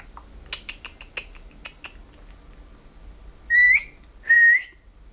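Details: Pet male blue-headed pionus, indoors, a bird said to talk a lot with phrases such as "good morning" and "come here": a few soft clicks, then two loud, clear whistled notes, each about half a second, the first rising at its end.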